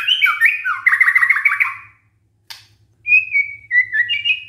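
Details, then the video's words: White-rumped shama song used as a lure to make other shamas answer: clear whistled phrases around mid pitch, a rapid run of repeated looping notes, a pause, then rising and falling whistles, with a faint low hum beneath. "pancingan murai batu GAK PAKE LAMA, murai langsung nyaut saat dengar ini"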